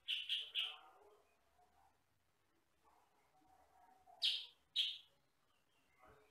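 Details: Sooty-headed bulbul (kutilang sutra), a bird said to have one or two distinctive, rather loud voice notes, recorded as a masteran for tutoring other birds: a quick run of three sharp, bright chirps, a quiet gap, then two more loud chirps.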